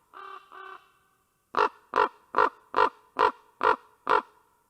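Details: At Karula, Estonia, on August 19, 2023, a Common Raven arrives at the nest and ravens call to each other: two soft, drawn-out notes, then a run of seven loud, hoarse calls, about two each second, all at a steady pitch.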